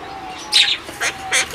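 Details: A male monk parakeet, one of a pair in a nest with two chicks, gives three short, harsh, scratchy bursts about every half second, talking and guarding the nest; a faint steady hum runs underneath.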